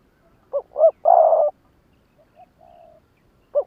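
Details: Spotted dove kept as a decoy, calling to provoke rival birds in lụp đờn cò style: two quick rising coos, then a long hoarse coo, faint soft trailing notes, and another coo starting.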